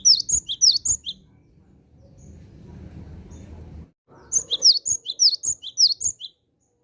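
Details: Cinereous tit (gelatik batu) calling to lure wild tits: short run of shrill, high, clipped chirps, a pause filled by low rumbling background noise, then another lively run of paired squeaky notes.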